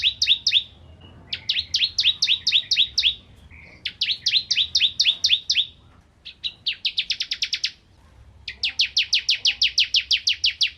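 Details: Several short bursts of high, clipped chirps from a bar-winged prinia, used as tutor song for magpie-robins, ending in faster, evenly spaced rapid notes.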